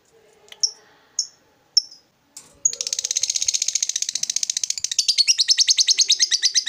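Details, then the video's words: Lovebird prized by hobbyists for its long ngekek song: three or four separate sharp chirps, then a sudden continuous rapid chattering trill of buzzy notes that grows louder and coarser toward the end. "Lovebird Loyo Kembali Semangat Emosi Naik ikut Ngekek Rajin Bunyi"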